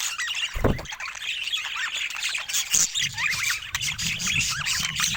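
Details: Several pet budgies keep up a steady stream of warbling chatter of squiggly, twittering notes. Two sharp broadband clicks or knocks cut through, with a faint low rumble underneath.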